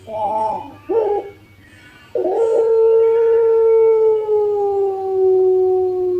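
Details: Collared dove of the pelung variety kept for cooing contests, recorded to coax birds into calling: two brief rough stuttered notes, a pause, then a very long smooth coo slowly sinking in pitch for about four seconds.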